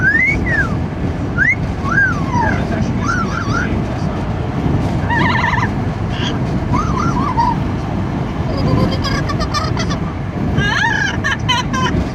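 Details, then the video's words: Amazon parrot riding in a car, making noise in the wind: a run of whistled rising and falling calls with bursts of harsh squawks, over a constant loud roar of wind and road noise. "Parrot riding in car, making noise in the wind"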